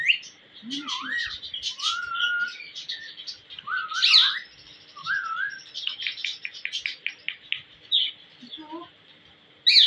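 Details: Pet ringneck parrot talking and whistling: short rising and falling whistles, chattering syllable bursts and squeaky notes in quick sequence, with a quiet indoor background.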